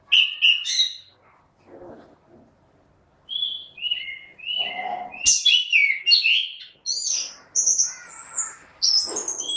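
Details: Loud song of a caged orange-headed thrush, mixing high sharp notes with a run of falling whistled phrases, followed by rapid, varied, jumbled notes with little pause between them.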